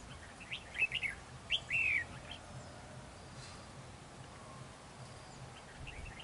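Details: Red-whiskered bulbul at a trap in a territorial fight, the bird turning very close; two quick warbled phrases, the second ending in a loud down-slurred whistle, then faint notes later amid low background noise.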